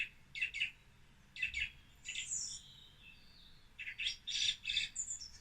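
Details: A song thrush sings varied, bright, high phrases, each repeated two or three times before switching, some with deep blackbird-like tones, with a few squeaky notes between.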